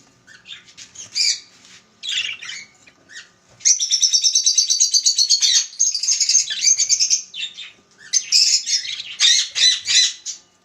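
Budgerigars chatter in bright, high chirps and a rapid, buzzy warbling run.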